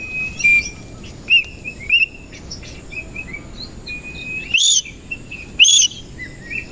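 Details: A koci-type Oriental magpie-robin sings in the morning, spreading its tail. Sustained thin whistles are broken by short, sharp notes. Two loud, rising, ringing phrases about a second apart end the passage.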